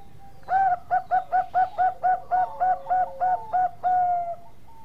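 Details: Zebra dove of the Bangkok type, kept bird, singing: one long cooing note, then a rapid run of about eleven short, even, mellow coos at roughly four per second, closing on a drawn-out coo.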